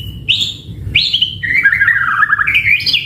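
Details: White-rumped shama in lively full song, used as a lure recording to make other shamas respond: a rising whistle, a sharp upswept note, then a rapid warbling, buzzy run of varied tumbling phrases ending on high whistles.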